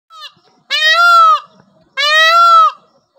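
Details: A male Indian peafowl (peacock) kept at a dairy, said to call after going up onto the roof, gives two loud, nasal, wailing calls about a second apart. Each is strongly harmonic and slightly arched, with a faint shorter note before them.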